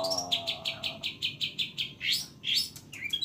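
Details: Long-tailed shrike in rich fill-in song: a low buzzy harmonic note fading under a rapid even series of high chips, then two loud swept whistles and a softer chirp.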